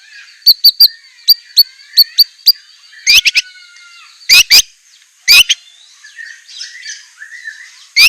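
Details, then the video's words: White-rumped shama, known as murai batu, giving a fierce 'isian' song: spaced single high chips, then scattered loud rasping bursts over faint softer notes. "ISIAN MEWAH MURAI BATU_PALING TOP SUARA SANGAR"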